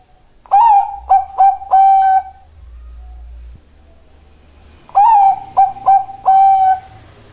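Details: Zebra dove of the Bangkok type, a caged songbird, giving two loud cooing phrases about four seconds apart, each a rising first note followed by three shorter level coos and a longer held final coo.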